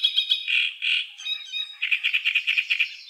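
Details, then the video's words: Great reed warbler (Acrocephalus arundinaceus) singing loud, harsh, croaking phrases: quick grating notes, two drawn-out rasps, then a fast run of about eight scratchy chirps per second. "Great reed warbler | Acrocephalus arundinaceus"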